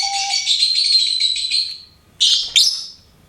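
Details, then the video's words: Lovebird kept as a pet chatters in a continuous buzzy, shrill stream for nearly two seconds after a short low whistle, then pauses before two sharp, piercing chirps. "LOVEBIRD SINGING & CHIRPING SOUNDS"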